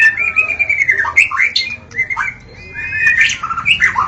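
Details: Wild white-rumped shama singing in a forest: varied, fluid whistles sliding up and down, mixed with sharper chattering notes, with a short pause midway.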